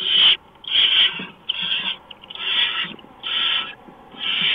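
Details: Barn owl nest at night, 4:26 AM on 6 March 2015, while a mouse is brought in. Six loud, noisy rasps, each roughly half a second, follow quickly one after another.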